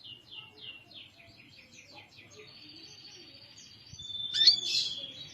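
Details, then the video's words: Dakun white-eye from Kintamani, Bali, with a quick series of high, evenly repeated chirps. They run into a sustained thin whistle and end in a louder, buzzy, scratchy burst. "suara kicau burung pleci dakun bali kintamani"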